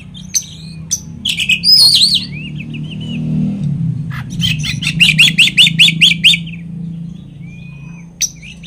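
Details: Oriental magpie-robin song used as a lure to rile other magpie-robins. Chattering notes and a short rattle, then a quick run of about nine repeated sharp notes over a steady low hum.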